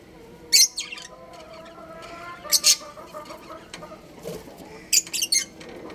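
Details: Breeding pair of budgerigars kept as pets, giving short sharp chirps in three quick clusters, bright and scratchy, over a steady low background hum with faint tonal droning.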